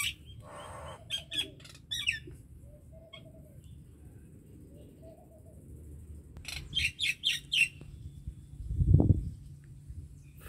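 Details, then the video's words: Common myna song of short clustered chirps and squawks with gaps of quieter notes, a later run of four loud repeated chirps, and a dull low thump near the end. "MYNA BIRD SONG / MYNA BIRD SOUND /MYNAH BIRD SINGING"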